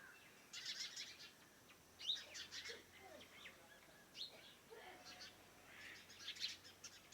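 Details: Morning around a farmhouse: scattered bursts of high chirps and short twitters from several birds, with a few lower notes and quiet gaps between.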